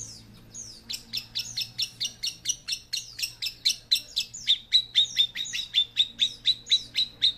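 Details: Long-tailed shrike, young and full of fighting spirit, repeating a short high note about three times a second, shifting from buzzy trills to sharp, even chips held at one pitch.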